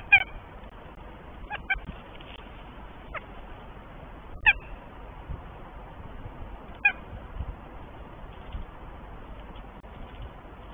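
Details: At a nest in Tartu, Estonia, a northern goshawk pair exchanges gentle calls while the male awaits the first egg; about five brief, sharp, ringing notes come at irregular intervals through ten seconds of soft hiss.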